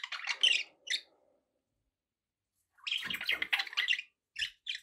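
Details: Pet budgerigars warbling in fast scratchy bursts, a quiet pause, then louder chattering runs with a faint low knock.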